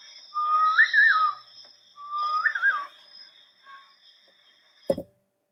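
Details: Playback of a Sri Lanka Bay Owl, the least known owl in Goa, giving a distinct call: two drawn-out whistles with a wavering rise in the middle, about two seconds apart, then a sharp click.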